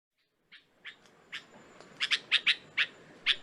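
A Red-vented Bulbul gives short, bright chirping notes, about nine in three seconds at an uneven pace, some in quick pairs, over a faint background hiss.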